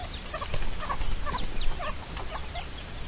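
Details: Red-legged partridge defending its chicks, recorded 29 May 2023; a series of short, harsh, clucking notes repeated about every half second over steady low background rumble, with faint small-bird chirps higher up.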